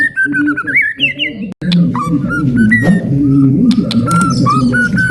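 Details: White-rumped shama delivering a long ngalun song to excite other birds; a rising whistled series and a brief cut, then spaced short whistles about once a second against continuous low music.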